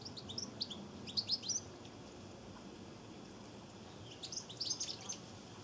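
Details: High liquid chirps from European goldfinches taking a drink at a Cornish garden bird bath in September 2014, arriving in two short bursts, one early and one after four seconds, separated by a quiet gap.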